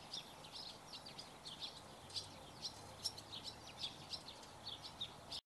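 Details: Barn swallow young calling during feeding: rapid, thin, high chirps clustered in quick runs, rising and falling in intensity over a soft background hiss.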